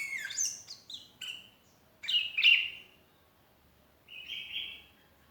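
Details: A lonely sooty-headed bulbul calls out to companions, used as a lure: scratchy high notes at first, then a loud liquid whistled phrase, and finally a slightly rising fluty note after a short pause.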